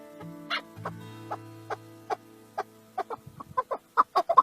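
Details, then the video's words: A male chukar partridge (chakor) calls in a series of short clucking notes that quicken toward the end, over a low steady hum. "Chukar Partridge l Chakor bird l male Call | Sound | Singing"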